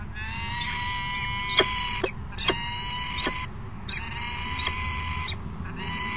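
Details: Male peregrine falcon arriving at the nest box with food on 22 August 2018 and calling to the female; drawn-out harmonic wailing calls repeat in several bouts, with sharp clicks and knocks between them over steady low background noise.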